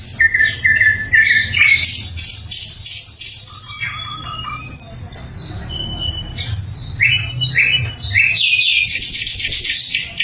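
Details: Sikatan londo flycatcher singing loud, clear song used as a training recording for murai and other songbirds: high whistles and sharp chirps, some long buzzy notes, with rapid irregular phrases about twice per second.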